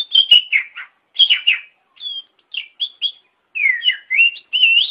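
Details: Oriental magpie-robin song used as a master recording for training caged birds, best done in morning or afternoon: clear whistled phrases around mid-high pitch, short slurred and falling notes with rising sweeps, in bursts separated by brief pauses, no other sounds.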